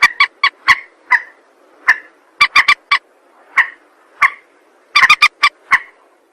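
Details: Rail calls played as a lure for trapping: scattered single and grouped harsh, ringing notes, some slurred, spaced irregularly with gaps, and a quick cluster of five near the end.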